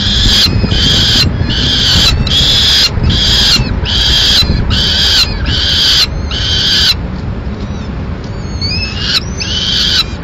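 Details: Peregrine falcon nest, Madrid, 4 May 2016, the male feeding the chicks a swift he brought: loud rasping screams in even blocks about once a second, then a pause with thin high whines before the screams resume.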